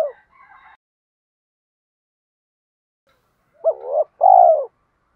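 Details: After a soft opening note and long silence, a spotted dove gives one phrase: a quick rising coo, then a longer, loud, falling coo. The call is used as a lure to train young doves.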